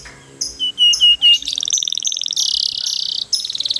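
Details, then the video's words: A canary, a "gacor" long-rolling singer used as a master to prompt other canaries to sing, gives a few bright, high whistled notes, then a fast, buzzy rolling trill running on for two seconds. "GACOR ngerol panjang banyak burung kenari cepet ikut gacor dengan suara kenari gacor ngerol panjang"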